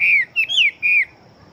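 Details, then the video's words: Chinese hwamei of fighting stock giving a short burst of song: three loud, clear whistles, each sliding downward, the middle one arching, followed by quiet. "Họa Mi Chiến Siêu Mau Mỏ Bộ To Hót Tốt"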